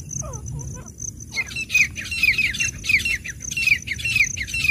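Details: Grey francolin (teetar), wild, giving loud, squeaky, rising-falling notes in fast succession after a short pause, over a constant high tone and low background rumble.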